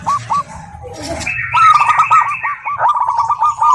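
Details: Local zebra dove (perkutut), a female calling a male: a fast run of short, clipped cooing notes near one pitch, preceded by a jumbled lower murmur and overlaid by a brief, buzzy, higher band in the middle.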